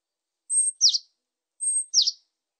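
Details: Great tit song recorded in 2020 for a Korean national biological resources collection: two clean two-note phrases, a thin high whistle followed by a lower descending note, repeated about a second apart against a silent background.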